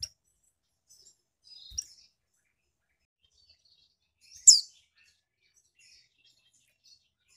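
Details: Caged female Mountain White-eye from Malang, East Java, calling to draw males into song: a soft fluttering twitter, a click, then one loud sharp high note followed by quiet thin chips.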